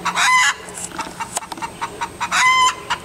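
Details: Hen calling just after laying an egg in a boat: loud, harsh, ringing cackles at the start and end, with a run of short clucks repeated about every quarter second in between.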